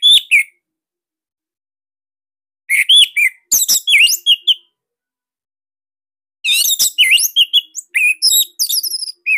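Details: Master-song recording of an orange-headed thrush (Anis Merah Bali) for cage-bird training; three bursts of hurried, jumbled whistles and sharp chirps, the last burst longest and most varied, divided by quiet pauses.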